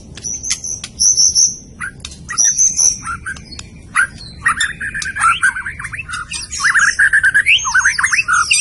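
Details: Medan white-rumped shama singing: scattered high thin whistles and clicks at first, then dense bursts of rapid, jumbled warbled notes in the second half.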